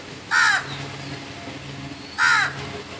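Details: Two loud, raspy crow caws about two seconds apart, each short and harsh with a slightly falling tone, against a quiet background with a low hum.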